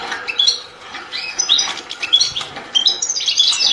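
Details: Short goldfinch song fragment of scattered twittering chirps and thin whistled notes, becoming denser and brighter toward the end.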